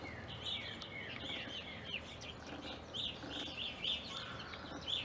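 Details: Evening grosbeaks in an Ohio backyard, staying from winter 2020 through April 2021. Bright, clipped chirps are repeated rapidly and overlap, like a small chattering flock, over faint low rumble.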